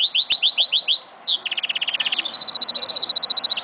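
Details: Goldfinch mule song from 2011. It opens with about six quick, repeated, up-slurred chirps, then one sweeping downslurred note, then rolls into rapid buzzy trills that hold a steady high pitch.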